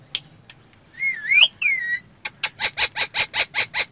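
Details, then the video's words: Parrot inside a car: a looping whistled phrase followed by about ten rapid harsh squawk notes repeated evenly, with quiet engine hum. "Mitthu Talking In Car"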